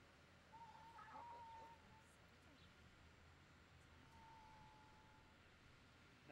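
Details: A 36-day-old captive Kori Bustard chick at a zoo gives two thin, level, whistled peeps a few seconds apart, a call described as a mild stress call; the chick is very attached. Steady background hum.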